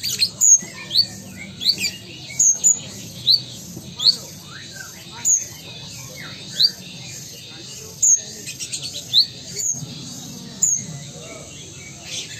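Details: Caged Ruby-cheeked sunbird of Sumatran origin, in full active song, repeats piercing high chips and short upslurred squeaks roughly once a second, the bursts irregularly spaced with faint lower rustling underneath.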